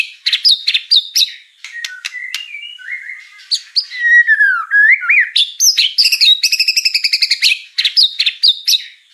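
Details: White-rumped shama song full of mimicked fill-in phrases: varied whistled notes, slurred descending glides, then a fast trilled rattle of repeated sharp notes, ending in bright chirps.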